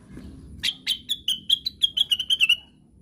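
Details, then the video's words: Long, even series of about twelve clear whistles from a plaintive cuckoo calling 'ngigau', each note a little lower than the one before, ending in a fading drawn-out whistle. "KICAUANYA KLASIK....BURUNGNYA NYENTRIK...CUCAKWILIS SEDANG NGIGAU"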